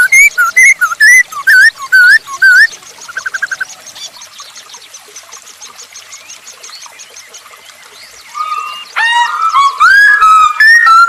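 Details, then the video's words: Masked laughingthrush singing, as a lure to get other birds going: loud bursts of looping whistles, a long quieter stretch of soft rapid chatter, then strong slurred and rising whistled phrases again. "Burung poksay hongkong gacor untuk pancingan"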